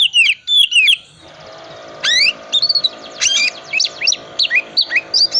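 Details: Oriental magpie-robin song in the cool-type ngriwik wiksar style, used as a lure to get other magpie-robins singing: loud, high, varied phrases of sharp sweeping whistles, rapid chirps and trills after a brief quiet gap, with a faint steady hum beneath.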